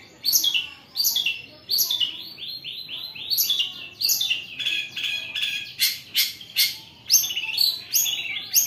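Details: A long-tailed shrike, recorded as lure audio to make other shrikes sing, sings a fast, high, varied song of harsh rasping and chattering bursts, about one each second, with some clear glassy notes.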